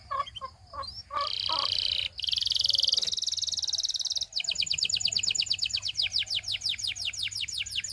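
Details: Belgian canary, singing to tempt other canaries to join in. A few scattered lower notes open, then loud buzzy rolls, then a long rapid trill of descending notes.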